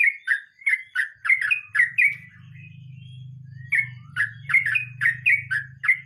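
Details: Sooty-headed bulbul singing in the rolling 'nge roll mbonang' style: rapid, repeated bright whistled notes that dip and slur, a short pause near the middle, then renewed rolling phrases over a steady low hum.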